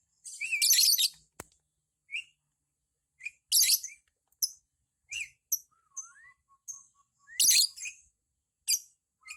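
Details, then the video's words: Caged lovebird of the ngekek style, described as fair for a beginner bird, giving scratchy high chirps in irregular clusters, some bursts lasting nearly a second, with brief upward squeaks and a faint flat whistle in the background. "LOVE BIRD NGEKEK"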